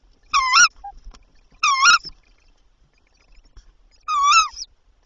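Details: At night at a tawny owl nest holding three chicks, with mice brought by the male and then the female: three loud, rasping, harmonic calls, each around a third of a second, spaced irregularly with longer gaps and a quiet background.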